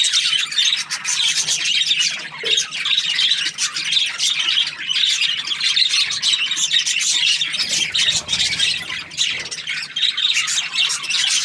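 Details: Budgerigar chatter described as happy, an unbroken wall of overlapping bright chirps, squeaks and warbling notes that stays steady and loud throughout.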